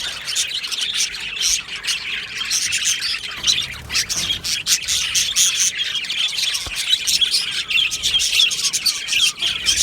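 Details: Budgerigar aviary colony, 22 June 2025: constant overlapping chirps and harsher squawky notes from many birds, a busy, unbroken chatter with a few sharp clicks.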